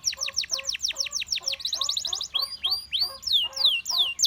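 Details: Gloster canary song intended to draw other canaries into singing: a steady series of repeated downslurred whistles with softer lower notes between, a quick buzzy roll, then looping upswept notes repeated several times a second.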